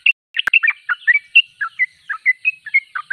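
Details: Sooty-headed bulbul singing vigorously, a run of clear, slurred whistled chirps, some rising and some falling, about two per second, bracketed by sharp clicks.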